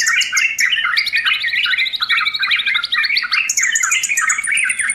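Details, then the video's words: A sooty-headed bulbul delivers a busy, unbroken song of quick chirps, trills and warbled notes, ending with a high drawn-out whistle, all recorded indoors. "SUARA TRUCUKAN FULL ISIAN"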